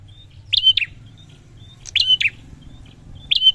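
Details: Prinia singing: short high clicking bursts with thin whistled notes between, phrases repeated about every one and a half seconds, faint low hum beneath.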